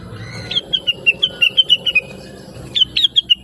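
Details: Blue-winged leafbird in a chattering training song for other birds: a run of short clipped chirps, steady and slightly falling, a pause, then another brief burst, with faint background hum.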